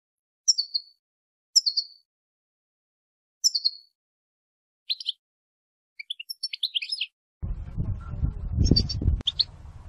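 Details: ['Female European goldfinch calling to stimulate males toward song and mating. Several thin descending chirps are spaced about a second apart, then a rapid twittering run, then louder chirps over a sudden low noise.']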